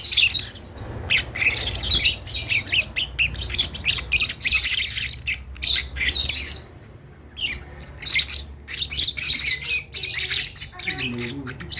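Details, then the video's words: Lovebird chick practising its first calls, giving rapid runs of raspy, high-pitched squawks in uneven bursts separated by short pauses. "Ketika anak burung Lovebird belajar untuk bunyi"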